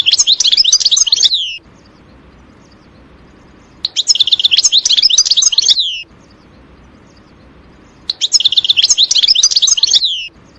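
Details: European goldfinch singing in a forest: three bursts of fast, liquid, tinkling twitters, each about two seconds long and ending in a downward slurred note, repeated roughly every four seconds with quiet pauses between.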